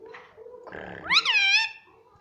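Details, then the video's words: Pet parrot mimicking speech indoors, a loud arched harmonic call rising then falling over about half a second, after softer murmuring sounds. "parrot talking everything"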